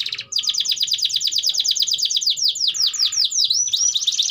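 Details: Canary in long-duration song used to train young canaries; a very fast even trill of repeated notes, slowing into separate downward swoops, then a quick high flourish.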